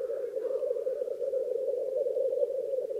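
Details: Black grouse at a lek in Krasny Bor with females present, during the most intense phase of lekking, giving a steady, low bubbling coo that rolls on without a break; a faint higher note rises briefly near the start.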